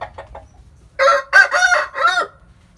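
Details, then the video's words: Rooster crowing in the morning in a countryside hometown: soft clucks first, then a loud, hoarse crow in several drawn-out segments over about a second and a half, fading into low background rumble. "Tiếng Gà Gáy Buổi Sáng Ở Vùng Quê | The sound of chicken crowing in the morning in my hometown"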